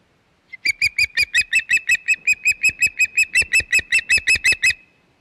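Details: Loud, rapid string of about twenty piercing whistled chirps, evenly spaced several per second, from an osprey at its Hog Island nest on 25 May 2021; the series starts abruptly and stops after about four seconds.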